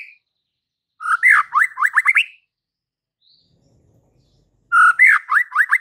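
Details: A vigorously singing white-rumped shama, whose song is meant to provoke fighter males: a fast burst of rising, slurred whistled notes, then about two seconds of silence, then the same rapid phrase again.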